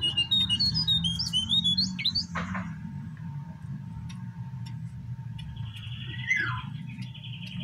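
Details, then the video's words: Male brown prinia used as a lure for caged and wild birds: high twittering whistles at first, then a thin buzzy trill and a falling note over steady low background noise. "Suara danMasteran jongkangan /cingcoang coklat"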